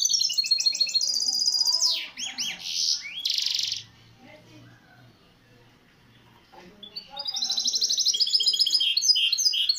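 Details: Misto hybrid canary singing on a training tape for young birds: bursts of fast, high trilled notes and downward sweeps, broken by a quiet gap of several seconds before the rapid chattering trill resumes.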